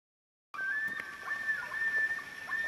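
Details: On an evening lake in the Boundary Waters of northern Minnesota, a Common Loon holds a long, steady, mournful note that barely wavers, over faint lapping water and a soft background hiss.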